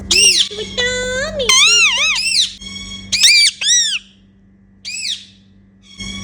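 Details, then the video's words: Pet Indian ringneck parakeets making happy sounds during playtime indoors, a mix of whistled, warbling notes with wavering pitch and harsh rising-falling squawks in bursts, separated by short pauses, with a steady low hum in the room. "Talking Indian Ringneck Parrots Making Happy Sounds"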